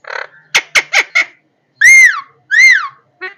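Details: Parrot calls: a buzzy opening note, four quick harsh squawks, then two very loud drawn-out arched screeches and a brief final note.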